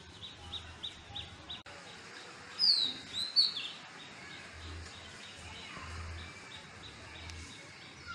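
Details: Home-garden recording of an Indian robin song: two or three clear, high whistled phrases sliding downward, set against soft continuous background chirping and a pulsing low hum.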